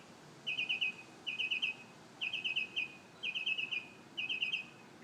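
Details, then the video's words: Bird singing in the morning: short bursts of four or five quick, even, high notes, repeated roughly once a second with brief gaps, clean and loud over faint hiss. "Amazing Bird sings 25 different sounds"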